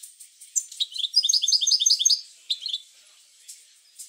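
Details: European goldfinch singing, meant to spur other goldfinches into song: a fast, liquid twittering run of about a second and a half, with a few high chirps before and after.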